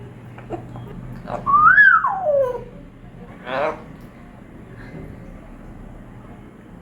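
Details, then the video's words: Pet African grey parrot indoors giving a single rising then falling whistle, with a short raspy note about two seconds later over low room hum. "African Grey Parrot is talking nonstop!"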